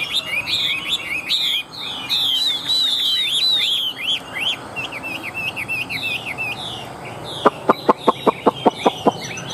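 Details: A healthy, newly arrived captive Chinese hwamei sings a loud, rich run of varied whistles and slurred trills, ending in a rapid series of sharp clicking notes.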